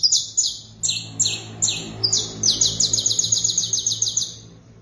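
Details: Canary singing clean, high sliding notes in a steady series, then speeding into a rapid rolling trill of short repeated syllables that fades at the end; a faint low hum underneath.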